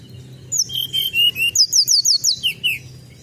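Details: Sunda robin used as a lure: a few flat whistles, then a rapid train of piercing downslurred notes, about three per second, ending in two lower slurred whistles.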